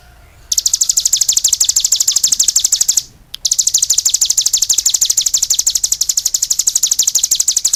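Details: Cigun singing energetically: long, continuous runs of fast, shrill chirps, broken only once by a short gap.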